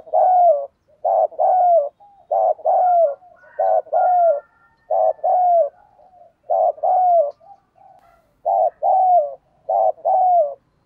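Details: Full, loud song of a spotted dove kept as a decoy for luring wild doves: phrases of paired coos, a short note then a longer falling one, repeated steadily with brief gaps and faint extra cooing between.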